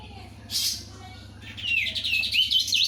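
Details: Crested white-eye singing loudly: a brief hissing burst, then over a second of fast, wavering whistled warble rising and falling, above a constant low hum.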